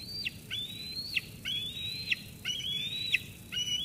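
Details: Eaglet in the Sauces Canyon nest, 13 June 2021, squeeing at its mother after a food delivery until she departs; long, high whistled notes slowly rising, each ending in an abrupt falling flick, roughly every second.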